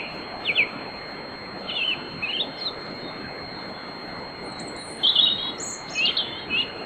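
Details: European robin warming up in the small hours before dawn, singing at night in a riverside grove at Bóveda, Lugo, Spain; short high thin warbled phrases scattered through steady broadband background hiss.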